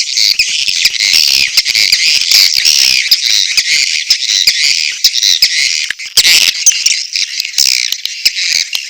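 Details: Edible-nest swiftlets in mating call with chick calls: an unbroken high, hissy chatter of rapid buzzy chirps, studded with loud clicking taps throughout.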